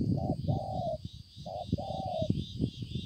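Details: Spotted dove, a decoy bird with a fine pearl-spotted neck collar, recorded 5/9/2020; two cooing phrases, each a short note followed by a longer drawn-out coo, over low rumbling background noise.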